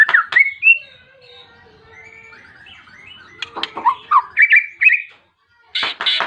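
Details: White-rumped shama calling a rival with persistent song to provoke other shamas; clear slurred whistles, a long faint falling whistle, then sharp loud chipping notes and harsh bursts.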